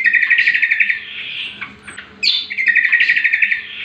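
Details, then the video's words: Cucak kombo, or greater green leafbird, master song for training other birds: a fast rattling trill, a brief pause of softer notes and a sharp high squeak, then the quick trill again. "Pancingan dan Masteran Cucak Kombo"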